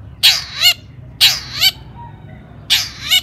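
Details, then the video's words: Long-tailed shrike, a lure recording to trigger other shrikes: paired harsh, nasal notes with a ringing overtone, each pair repeated about every one and a half seconds. "cendet gacor AMPUH TOET TOET PANCINGAN CENDET AGAR BUNYI"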